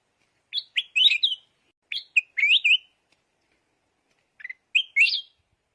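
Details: Three lively warbled bursts from a decoy yellow red-whiskered bulbul, each a fast jumble of rising and falling liquid notes, the last phrase shorter and higher, clean background.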